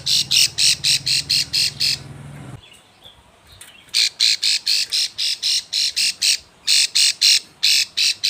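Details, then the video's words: Breeding-condition female plain prinia calling the male, giving rapid rasping buzzy notes about four per second, broken by a short quiet pause before the series resumes. "Ciblek sawah betina birahi memanggil jantan"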